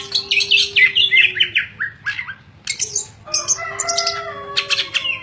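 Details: A song packed with imitated 'isian' phrases from a caged greater green leafbird kept as a contest bird, in daily 'ngentrok' condition. Dense, fast, jumbled chatter mixes high buzzy notes and quick whistles, pauses briefly, then resumes in scratchy bursts.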